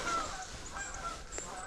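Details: Canada geese passing over Deerfield Park, central Michigan, in winter, giving a few brief nasal honks against a steady outdoor hiss.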